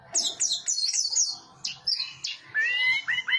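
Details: Orange-headed thrush singing a fast medley of high chirps and squeaky notes, ending in lower clear whistles that slur upward.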